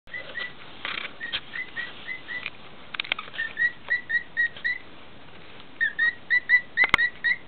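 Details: A 17-year-old pet male cockatiel, obsessed with feet, sings to a person's foot indoors: short, clear whistled notes repeated about twice a second in steady runs, broken by a brief pause and a few soft clicks.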